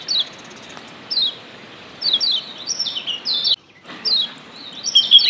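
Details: Wild Lombok yellow white-eye, used as a lure to stir the bird into active singing: short high descending chirps in bursts about once a second, then a brief silence and a fuller run of sliding notes.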